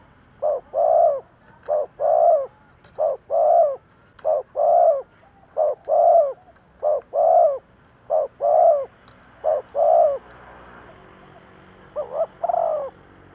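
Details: Spotted dove kept as a decoy to lure wild doves, cooing in about nine regular pairs, each a short note then a fuller, longer coo. A brief pause follows before a final, softer couplet.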